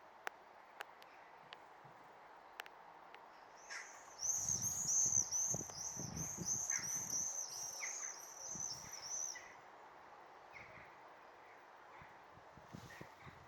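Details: Swifts back on 16 May 2023, flying switchbacks and glides overhead: a run of shrill, high screeching screams rises for about five seconds, then fades, with sharp clicks and a few lower chirps around it.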